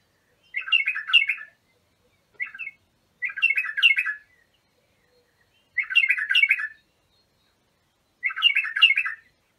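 A bulbul gives bright, bubbling warbled phrases about a second long, repeated every two to three seconds against a quiet background.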